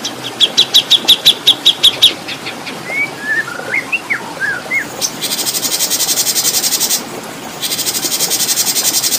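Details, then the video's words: Oriental magpie-robin song recording meant as training material for competition birds, with long rhythmic phrases and soothing water sounds: a quick run of sharp repeated chips, then slurred whistles, with loud steady insect-like buzzing drowning out the second half. "Masteran Murai Juara"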